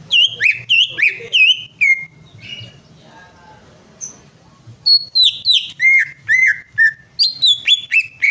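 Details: Greater green leafbird song used to prompt singing: quick bursts of bright, looping whistled notes, a pause with faint background sounds, then another lively string of sharp downslurred and upslurred notes.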